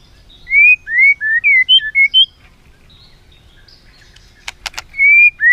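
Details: Caged white-rumped shama singing a song meant to teach other shamas: a quick run of clear upslurred whistles, a pause with two sharp clicks, then more whistled notes.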